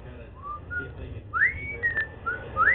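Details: A male pet cockatiel, first thought to be female, gives clear whistled notes while dancing, several sliding sharply upward, in a quick tuneful series.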